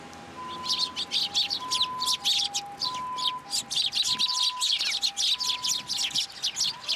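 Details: Fledgling sparrow being fed in a plum tree at a Tenmangu shrine, 15 June 2022. Steady, fast high chirps repeat several times a second throughout, with faint even tones behind them.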